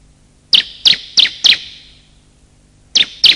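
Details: Bar-winged prinia calls of male and female, a lure to set silent birds calling and attract wild birds: four separate emphatic high chirps about a third of a second apart, a pause, then two more.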